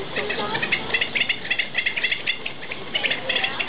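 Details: Pied avocet in captivity at Ueno Zoo, Japan, repeating short fluty notes in pairs and triplets, several per second, over a background murmur of visitors' voices.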